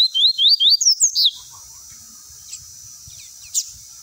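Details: Double-collared seedeater singing the tui tui song style used for training young birds: a quick run of rising whistled slurred notes, five or six in about a second, ending in a higher sweep, then quiet with a few faint clicks.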